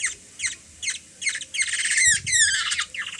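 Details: Kilyawan, the Black-naped oriole, fed by a small girl in the Philippines: spaced rasping squawks quicken into a loud buzzy burst with descending slurred notes, then taper off.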